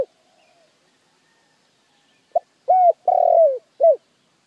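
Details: Spotted dove cooing used as a lure: after near silence, a single phrase of short coo, soft note, longer sustained coo dropping at the end, then one clipped closing coo.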